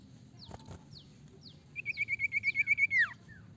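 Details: Sirtu singing, used to lure other sirtu into song: a few scattered downslurred whistles, then a fast even series of about a dozen clipped notes ending in a falling sweep.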